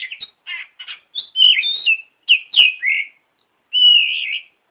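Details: Oriental magpie-robin lure song for training caged birds to answer: a run of rapid, varied chirps and whistles, then a loud sweet slurred phrase and a longer falling whistle after a short gap.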